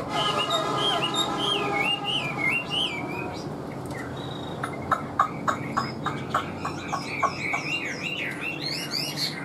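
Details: Chinese hwamei song opening with a long wavering whistled trill that rises and falls repeatedly. It gives way to rapid sharp clicks, then high chattering notes, over a faint background hum.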